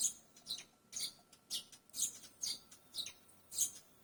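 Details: Barn swallow calling with bright, high-pitched chirps that slide downward, repeated roughly every half second in an uneven, lively twittering run.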